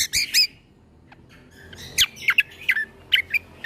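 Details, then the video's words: Greater green leafbird 'tembakan' song played as tutor material for young shamas: a few loud harsh notes open, a quiet gap follows, then a string of clipped, sharp whistled notes. "Masteran Cucak Kombo Ini Agar Punya Karakter Suara Tembakan"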